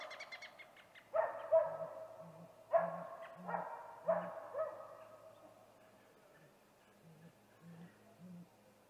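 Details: Male great gray owl vocalizing at a snag tree nest on the evening of 21 April 2019, just before visiting. Faint high chatter opens the sequence, then harsh, loud bursts, then low hoots about every half second.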